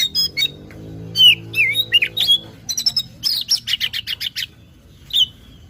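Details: Oriental magpie-robin (Copsychus saularis), song.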